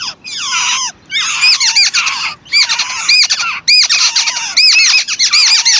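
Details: A mother bird feeds her chicks while they beg with shrill, squawking calls, intense bursts of rising and falling squeals separated by brief silences.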